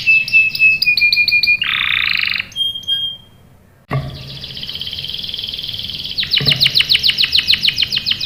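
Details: Lure song of a canary meant to get young males singing: a quick stuttering phrase, a steady whistled tone, a harsh buzzy burst, then a brief pause before a long, rolling trill that speeds into rapid repeated chips.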